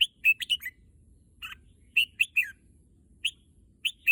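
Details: Red-whiskered bulbul kept as a pet bird, said to want to go to the contest field, singing short bright whistled phrases in quick bursts of three to five notes, with pauses between, over a faint low hum.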